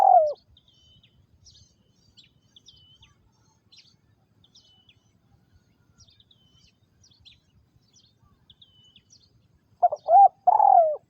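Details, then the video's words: Captive spotted dove used as a trapping decoy in Vietnam, 2022: a falling coo at the start and one three-part coo near the end, with a long quiet gap of faint high twittering from small birds between. "Tiếng Chim Cu Gáy Liêu Rồng Mắt Lé Chân Cua Mồi Đất"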